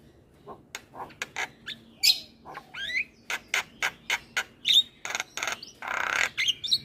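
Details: Chattering Javan myna in nonstop song, said to get other birds calling: a steady run of sharp ticks and clicks broken by brief whistles and a harsh noisy screech.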